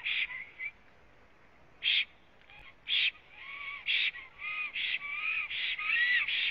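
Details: Black stork at a nest in Latvia, filmed by a live nest camera on 26 April 2017 at 09:31 after arriving and while preening; hoarse, wheezy bursts begin sparsely, then repeat roughly every half second with faint thin whistled undertones.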